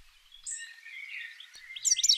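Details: A European goldfinch, a common UK garden bird, sings a quick, high, tinkling twitter of jumbled liquid notes, building to a louder burst of bright chirps at the end.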